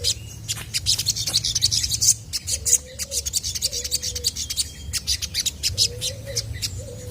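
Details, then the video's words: Chestnut-backed scimitar babbler in lively full song, meant to set other birds answering: short low whistled phrases, flat or slightly rising, repeated several times, over dense rapid high chirping and twittering from other birds. "SOGON GACOR BIKIN BURUNG MANAPUN PASTI IKUT NYAUT!!!"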